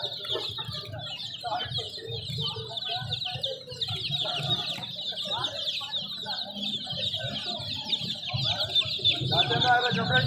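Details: A crowd of baby chickens cheeps nonstop, with quick, high, slurred notes packed closely together. Voices murmur faintly and a louder voice comes in at the end.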